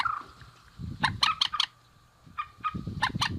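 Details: Male and female rail giving loud, harsh clucking notes in two rapid bursts of three to four strokes, with low rumbling noise beneath and a thin steady tone running through.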